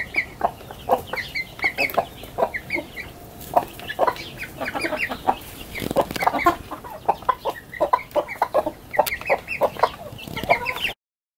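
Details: Chickens bursting out of their coop into a garden one morning, large and small alike. A steady chorus of short clucks and higher cheeps from many birds, ending abruptly.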